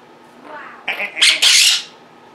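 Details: Caged Quaker parrots calling indoors as their owner edits at a computer: a faint murmur, then two loud, harsh, rasping squawks close together lasting about one second.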